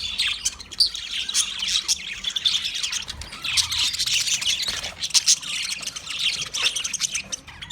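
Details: Many budgerigars twittering, fast high chirps and squeaky warbles tumbling over one another in a constant lively chorus.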